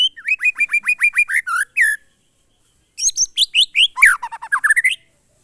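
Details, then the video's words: Murai batu, the white-rumped shama, singing glondong monotonous song: a steady string of evenly spaced whistled notes for two seconds, a pause, then a busier phrase of sharp high notes and rising sweeps. "suara burung murai batu "MONOTON"alias GLONDONG"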